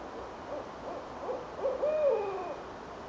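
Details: Owls calling back and forth from high trees in Richmond, Virginia, on a January 8, 2012 night near the James River. A run of soft hoots builds to a louder, drawn-out hoot that rises then falls, over a steady background hum.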